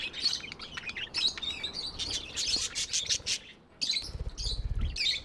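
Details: Pet budgerigars chirping continuously in bright, scratchy warbles and clicks, one short pause before more chatter, with low knocking noise near the end.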